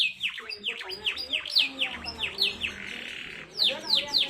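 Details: Canary singing at speed with tight, unusual phrasing, played to spur reluctant canaries to sing. Evenly repeated downward-curving whistles about three per second, a brief buzzy rattle, then more swooping whistles.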